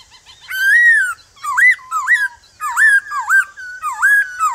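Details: A male white-cheeked laughingthrush sings its forest song in the morning, urging newly caught birds to sing back. Rich, loud whistled phrases, arched and swooping, follow one another almost continuously, roughly one every second, with strong overtones.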